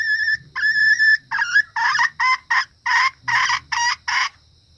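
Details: Female red junglefowl call used as a lure for males and other females: a series of about nine harsh, nasal, harmonic notes roughly every half second, the first ones thinner and whistle-like.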